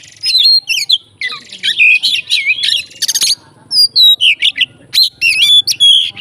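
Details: Fighting Oriental magpie-robin singing to provoke other magpie-robins, loud phrases of quick chirps, slurred whistles and one harsh buzzy burst, separated by brief gaps.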